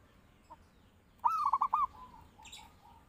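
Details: Zebra dove song meant as a lure or master call: one clear phrase of four rapid, bubbling coos, followed by a few faint softer coo notes and a distant chirp.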